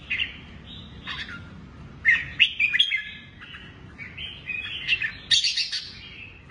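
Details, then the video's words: A red-whiskered bulbul of the Lân Tê type, shrimp-backed with drooping wings, sings in two-part phrases: bright, warbling bursts of rich whistled and chattering notes every second or so, with a faint low hum behind. "Chào mào Lân Tê quá đẹp, lưng tôm cánh xệ nết rê 2 cầu"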